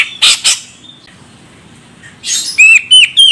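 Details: A female grey-cheeked bulbul of the Medan, Sumatra type calls to stir a male into song. Two rough, squawking bursts are followed by a short pause, then three clear, hooked whistles in a quick series.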